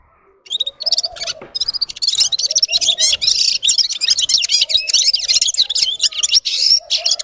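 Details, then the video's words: Red-fronted serin, also called red-capped, locally Yurok Qushi, singing a rapid, high twittering run of warbled and trilled notes after a brief pause, with a low soft cooing repeated every second or two in the background. "Gulsir Singing (Seriniis pusillus) Пение Птицы (Yurok Qushi Red-capped signing) G'ir-G'ir"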